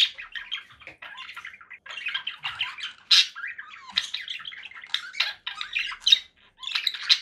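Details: Long run of conure parakeet chatter, buzzy and raspy, broken by sharp loud squawks about every second.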